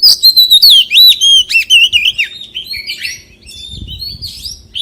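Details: Forest-voice song of a white-rumped shama: continuous varied whistles, loops and rapid warbles, loud at first and then softer, with faint background rustling.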